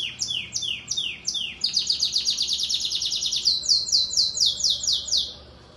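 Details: Yellow domestic canary in a 12th-edition singing competition at Maripá de Minas, Minas Gerais, Brazil, delivering loud, very high, rapid trills: repeated downward-slurred notes, then a fast buzzy rolling run and a series of descending sweeps.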